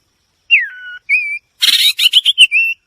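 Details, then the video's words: White-rumped shama: a long downslurred whistle, a steady clear note, then a harsh buzzy burst and quick chips ending in a level whistled note. "เสียงนกบินหลาดง, White-rumped shama Song."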